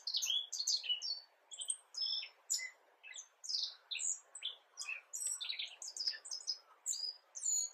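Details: Spring subsong of a black-faced bunting, recorded 10 April 2022, nearly as polished as true song: busy, varied high twittering with rising and falling slurred notes in short bursts roughly every half second, against a quiet background.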